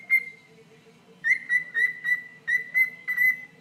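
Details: Pet bird addressing a person's toe with one clear whistle, a short pause, then a rapid even series of bright whistled pips holding the same pitch.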